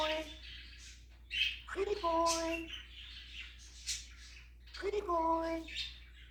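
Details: Captive male African grey parrot imitating a cat, giving two drawn-out, harmonic meow-like calls about three seconds apart, mixed with squawky chirps and surrounding human speech.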